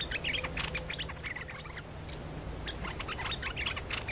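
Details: Streak-eared bulbul lure song, used to draw birds in. Busy, chattery bursts of short bright whistled and chirping notes, about three per second, over a steady low hum.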